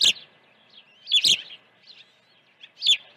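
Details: Osprey nest during early feeding, June 2019 morning; a few sharp, piercing whistled chirps in short clusters separated by quiet gaps, with faint soft cheeps between.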